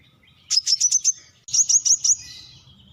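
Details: Brown-throated sunbird calling in two quick phrases of high, sharp chirps, five notes each, the second followed by a thin descending trill.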